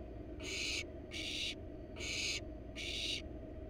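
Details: In a wild barn owl nest box, where the parents are bringing a rat to the nestlings, four even, harsh hissing screeches follow one another about every 0.8 seconds over a low steady hum.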